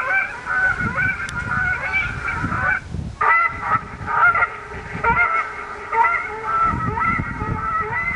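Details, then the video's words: Canada geese in San Francisco botanical garden ignore a deterrent recorder, switched on every five minutes, playing coyotes and geese in distress: harsh, honking goose calls in a dense overlapping chorus, about one a second, brief gap midway, low rumbling underneath. "They recorded coyotes and geese in distress"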